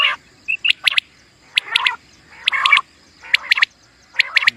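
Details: Common quail calling, offered for quail hunting: short bursts of two to four sharp, clipped notes, repeated about once a second with brief silent gaps and some harsher, lower buzzy chatter underneath.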